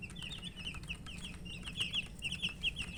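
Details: Chicks, called murgi chicks, chirping while thirsty for drinking water and eating: a dense chorus of high, short, downslurred peeps overlapping continuously, with faint clicking and a low background hum.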